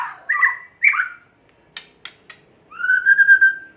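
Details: White-rumped shama kretekan song, aimed at making other shamas sing: short looping warbles, a few crisp clicks, then a long steady whistled note held for about a second.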